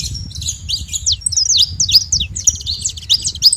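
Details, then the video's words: Wild flock of saffron finches, free in nature at a feeding spot, giving a dense overlapping chatter of sharp, high chirps and short slurred notes with no pause, over a low rumble of background noise. "rebanho de canário da terra na seva livre na natureza"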